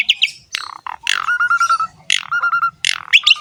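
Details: Asian pied starling giving harsh squawks followed by drawn-out nasal tones, each phrase opened by a rough screech, with faint low background noise.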